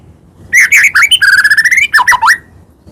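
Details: White-rumped shama song played to spur other shamas into singing and agitation: squawky notes lead into a long, rapidly trilled whistle that rises steadily, then ends in quick swooping, dipping whistles.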